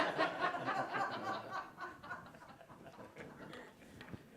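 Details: People talking and chuckling in a small indoor room during a meeting, with laughter fading out and no animal sounds present.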